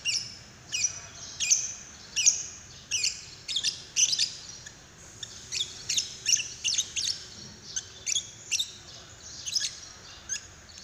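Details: Lovebird paud call meant to trigger singing in another lovebird: steady series of piercing, high squeaky chirps every half-second or so, with some doubled notes.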